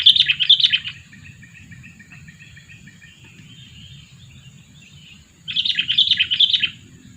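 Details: Lure sooty-headed bulbul, two years old: a brief chattering burst at the start, soft faint twittering in the background, then a second loud run of quick bubbly notes.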